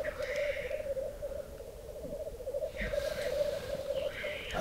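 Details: Black grouse males fighting at a lek in southern Norway in April spring snowmelt keep up a continuous low, dove-like bubbling, broken by harsh hissing sneezes; a man speaks softly in the background.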